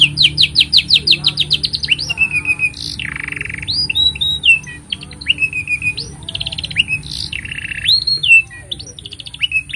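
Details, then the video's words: Canary in full, long song, used as a master for teaching young canaries and stirring quiet birds to sing: rapid repeated chips, sweeping upslurred whistles and buzzy rolling trills alternating without pause, with a steady background hum. "Kenari Gacor Panjang Ini Bagus Untuk Masteran Kenari Paud Dan Pancingan Kenari Bisu"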